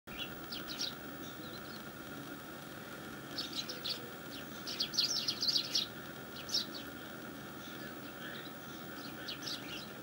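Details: Eurasian tree sparrows in a Japanese garden, possibly in June when adults bring their young, give bright, clipped chirps in short scattered bursts, loudest around the middle, over a steady low mechanical hum.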